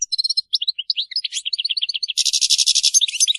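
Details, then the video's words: Chattering European goldfinch sound used to stimulate silent goldfinches to sing: scattered short chips and twitters speeding up, then a loud, rapid, buzzy trill at the close. "بتبتات حسون جماعية لتهييج وتحفيز طيور الحسون على التغريد.بتبتة تجعل الطير الابكم يغرد بقوة"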